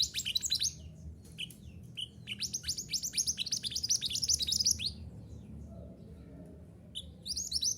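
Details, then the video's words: Mantenan gunung (minivet) song from a recording for training caged birds: bursts of quick, high, sharp twittering notes, a long dense run mid-clip, a pause, then chirping resumes at the end. "Terapi Suara Mantenan Gunung Agar Cepat Gacor"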